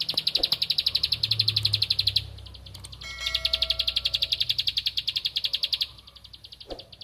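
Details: A Bar-winged prinia, searching for a rival, delivers long bursts of rapid, high, metallic clicks. One burst stops after two seconds, then a brief pause and faint whistled tones before a second long run, which trails off near the end.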